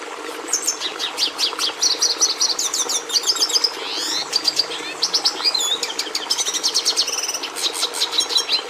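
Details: Red siskin giving an energetic twittering song: sharp chirps, rapid trills, swooping buzzy notes and repeated high phrases flowing for several seconds over a low steady hum.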